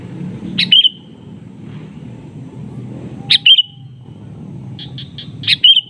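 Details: A sooty-headed bulbul giving its real-voice challenge call to a rival, answered in turn. Three loud bright chirps roughly every two and a half seconds, a faint row of short notes before the last, and a low rumbling backdrop.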